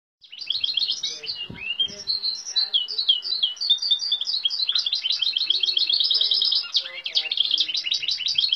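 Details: Canary-mule bred from European goldfinch and Timbrado canary, its song mixing goldfinch, great tit, cirl bunting, nightingale, western rock nuthatch and woodlark imitations; long unbroken stream of fast buzzy trills, chirps and twitters, growing denser toward the end.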